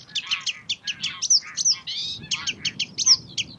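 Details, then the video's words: Sedge warbler singing in Belgium's Uitkerkse Polder in May 2016: a fast, chattering run of dry churrs and sharp notes with a few clear whistled upslurs, delivered in a varied, jerky stream. "Phragmite des joncs (Acrocephalus schoenobaenus) Sedge Warbler"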